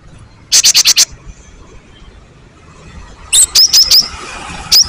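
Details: Great tit singing, a recording meant to provoke other birds into song: a tight burst of five metallic notes, then a looser series of high chipping notes with short whistled inflections.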